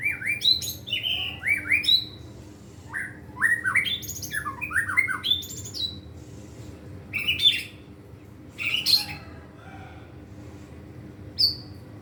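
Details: White-rumped shama youngster (pastol) practising its song: varied phrases of descending whistles, chattering squawks and sharp high notes, with pauses between bursts and a constant low background hum.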